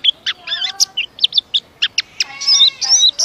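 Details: Kept white-eye in Indonesia giving a quicker-spaced series of high chirps and short trills, separated by brief gaps, with a quiet hiss behind.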